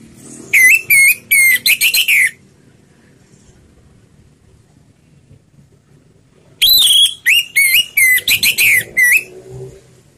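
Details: Orange-headed thrush in slow, relaxed ngeplong singing style, played as a lure to prompt other birds to sing: two bursts of loud, clear whistled phrases with sliding, warbling notes, separated by about four seconds of quiet.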